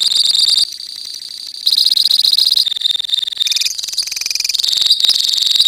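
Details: Colony of lovebirds giving the long ngekek song: dense, rapid, high-pitched chattering trills, with a brief quieter stretch before the loud, unbroken rattling returns and runs on.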